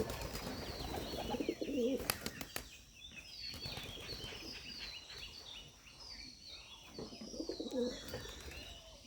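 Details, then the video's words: Giribaz pigeon from Rajshahi giving two short, low, throaty coo bursts about six seconds apart. A sharp clap near the first burst suggests wing movement, over steady background noise. "রাজশাহী গিরিবাজ কবুতর"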